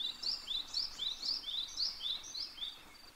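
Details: Eastern spot-billed duck family filmed 21 May 2023: ducklings give high, thin, overlapping peeps, short chirps about four per second, with soft outdoor background noise.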